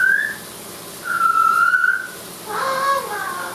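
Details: Amazon parrot in the shower: a short high whistle, then a long steady whistled note held for nearly a second, ending in a burst of speech-like talking.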